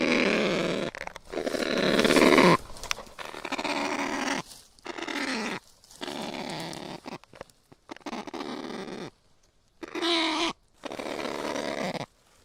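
Kakapo giving harsh, rasping, growl-like squawks in irregular bursts of one to two seconds, separated by short silences.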